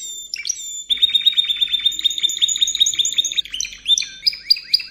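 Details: Timbrado Espanhol canary training song, 2014–2015: a few swooping notes lead into a long, even, rapid rattle-trill, then higher clear slurred whistles; soft low rumble in the background.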